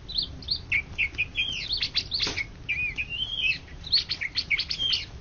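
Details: Greater green leafbird, a national champion in Indonesia for 2013–2014, in varied song over a background of burning trash. Clear whistled slurs rise and fall, mixed with short chirps and trills, against low steady noise.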